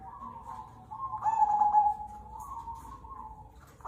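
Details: Singing zebra dove of the cemani kolbuntet type: continuous soft rolling coos swelling into a louder, vibrating trilled phrase, then fading back to quieter cooing, with a fresh phrase starting at the close.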